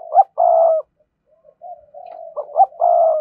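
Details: Spotted dove giving a full cooing sequence meant to stir wild doves: a short clipped note followed by a longer, hoarse, steady coo, phrase repeated twice with soft low murmurs between.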